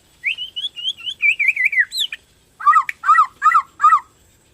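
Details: White-rumped shama, Bornean type, singing to stimulate other shamas: a run of wavering whistled notes slowly descending, then four loud harsh dipping notes at even spacing.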